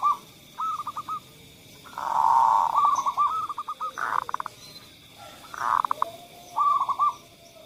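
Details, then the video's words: Zebra dove song meant to coax doves that rarely sing, short phrases of hooked cooing notes, some overlapping or blurred, with a steady high tone underneath. "suara pemancing Perkutut yang Males Bunyi"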